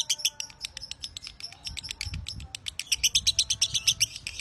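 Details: Lovebird from a master tutoring recording singing a long chattering phrase. Uneven bursts of shrill, high chirps build into a faster, louder, steadier run toward the end, with faint low background rumble.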